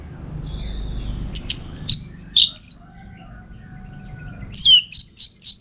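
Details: Orange-headed thrush singing for contest training: scattered sharp high notes, a brief lower tone, then a run of four quick whistled notes at the end, with low background rumble.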